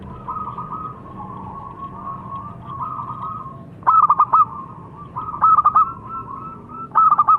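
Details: Local zebra dove, or perkutut, producing a soft, level murmuring coo, then three loud stuttered phrases of quick pulses spaced about one and a half seconds apart.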